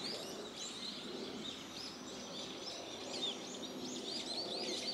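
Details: On 29 March in woodland at an ecological park, a large flock of brown-eared bulbuls calls together in a constant, noisy chorus of shrill, arching squeals over soft hiss. The recordist wonders whether they sense an earthquake precursor.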